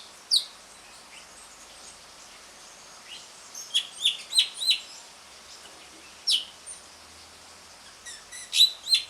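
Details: Asian pied starling (jalak suren) giving a ngriwik lure song meant to restart birds that stopped singing: scattered short whistles and sharp chirps in brief clusters, separated by quiet gaps over faint background hiss.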